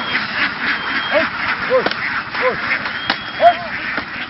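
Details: Flock of laying ducks in Vietnam, herded through the fields and boarding a boat to move on; short arched quacks, several per second, over steady background noise and human voices.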